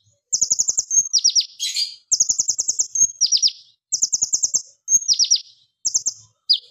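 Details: Plain flowerpecker (konin) in loud, sharp 'AK47 burst' singing, used as a training lure for other cage birds: rapid bursts of high, thin ticking notes and steeply falling sweeps, grouped in volleys about once per second with short pauses.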